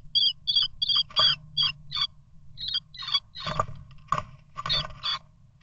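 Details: Two blue tits fighting over a nest, the sitting bird trying to scare off an intruder attempting to get in. Short high notes, each split in two tones, repeat about three times a second, then give way to broadband scuffling thumps and scrapes.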